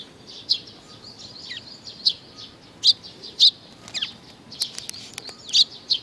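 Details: On 15 May 2019 sparrows gather to be fed, calling with loud, high, ringing chirps at irregular intervals, roughly two per second, some notes dipping or swooping, with softer tweets in between.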